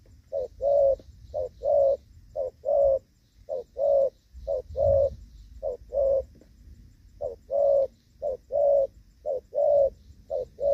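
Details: Spotted dove used as a decoy for trapping wild doves in the rainy season, recorded on 23 July 2024, giving the gù vấp coo style: short and longer low hooting notes in uneven clusters, about one per second, over low rumbling background.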